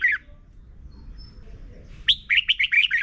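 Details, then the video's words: Red-whiskered bulbul song, played to teach young birds to sing, from Thailand: a brief whistled note at the start, then after a pause a fast run of loud, bright, warbling notes. "นกกรงหัวจุก - 30 นาทีทุกเช้า เพื่อให้นกเรียนรู้ที่จะพูดได้อย่างรวดเร็วและหนักแน่น"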